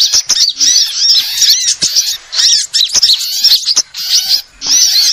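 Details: Lure recording of sunbirds meant to draw in birds: bursts of high, thin twittering and looping whistles, broken by short silent gaps, with a few faint clicks underneath.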